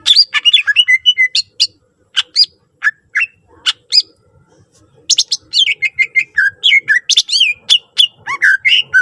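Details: Greater green leafbird with a varied, full song used as a lure for other leafbirds: dense sequences of chattering chips, squawky notes and slurred whistles, with sparser single notes in the middle and a rapid busy stretch at the end.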